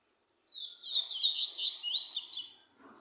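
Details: Double-collared seedeater song: a quick run of twittering, warbled high notes lasting about two seconds, with slurred rising and falling phrases, followed by faint low rustling.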